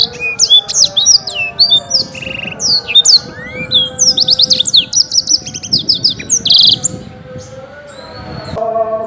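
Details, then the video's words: A champion black-throated canary sings a fast, unbroken stream of high, sweet twitters, trills and slurred notes, with a faint low hum underneath. "Burung Blackthroat Gacor"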